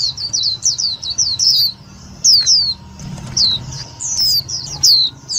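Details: Indian white-eye lure calls meant for trapping and stimulating other white-eyes: fast series of high falling tsee notes, a brief pause, then more bright slurred chirps, low background hum.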